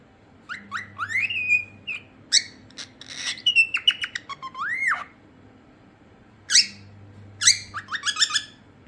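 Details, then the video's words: Cockatiel calling in bursts: short rising chirps, harsh squawks and a long upward-sweeping whistle, a quiet gap, then more sharp squawks and quick chirp series; faint low hum in the background. "🐦gris ❤️❤️#birds #cockatiel"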